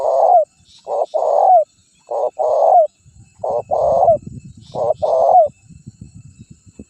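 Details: Spotted dove, a champion vocal bird used as a decoy to lure wild doves and provoke rivals into calling, giving low, hollow cooing phrases of two to three notes. The phrases repeat about every second with short pauses, and faint rustling sounds underneath.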